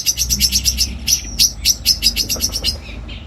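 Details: A trained long-tailed shrike, used as a model for other songbirds and for contests, gives a quick series of sharp high chirps, about five per second, pausing briefly and then resuming; a faint low hum sits underneath.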